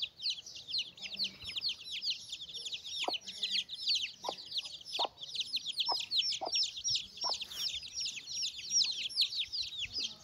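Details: Mother hen and chicks feeding: a busy chorus of high, down-slurred chick peeps with scattered short hen clucks in the middle stretch.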